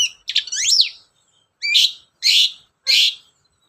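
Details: Lure song of a long-tailed shrike meant to make other birds sing: a twisting whistled phrase with a rising slur, followed by three harsh, buzzy notes spaced about half a second apart.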